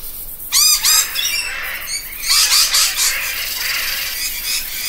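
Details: Parrot producing a rapid run of ringing, looped chattering notes, followed by a second softer series of scratchy screeches that fade into a hissy background.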